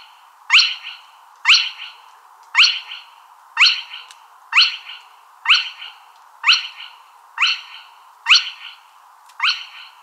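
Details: Spotted crake calling: a sharp, whip-like note sweeping steeply upward, repeated steadily about once a second, ten times in a row over a faint background hiss.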